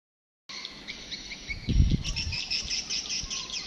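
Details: Swiftlet lure sound played to attract birds: rapid, high twittering chirps in quick repeated bursts, with a brief low thump partway through.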